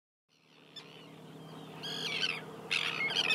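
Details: Common tern at the Kuyalnik estuary, Odesa region, Ukraine, in June 2012: faint start, then harsh, grating calls rising in loudness over the second half, some with sharp overtones, against a low steady background hum.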